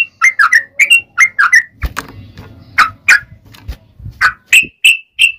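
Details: Yellow-vented bulbul singing a long, lively song used to lure other bulbuls into answering; rich bubbly whistled phrases near the mid-high range, short notes repeated in quick bursts, with a brief low rustling pause in the middle.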